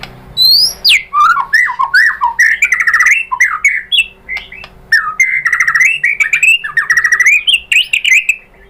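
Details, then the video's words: White-rumped shama lure song intended to provoke shamas to reply: a long, varied outpouring of rapid chattering warbles and slurred whistles, loud and almost continuous, with brief pauses between phrases. "pancingan MURAI BATU BIKIN EMOSI NYAUT GACOR BONGKAR MATERI ¦ PANCINGAN MURAI ¦ SHAMA BIRD"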